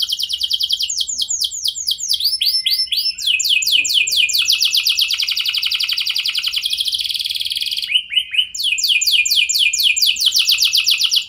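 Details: Lively canary song intended to make other canaries respond, a continuous chain of varied tours: fast downslurred whistles, dense buzzy rolls, a short pause, then more rapid repeated notes.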